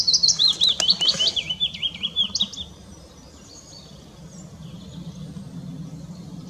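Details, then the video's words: Singing willow warbler, Hindekamp, 4 May 2017; one liquid descending phrase of quick soft high notes lasting under three seconds, followed by quiet with a low background hum and faint distant birds. "Zingende fitis"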